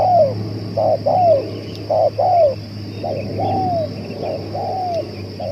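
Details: Long-calling spotted dove meant as a lure: strong opening coos fading a little, short note then sliding downward coo, repeated roughly every second, against a steady hum and occasional faint clicks.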